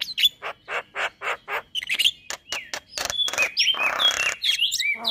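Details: Male white-eyed Javan myna singing, its voice said to set other mynas singing along: a string of evenly spaced harsh, raspy notes, then sharp whistles and a burst of broad scratchy chatter mixed with short high whistled slurs.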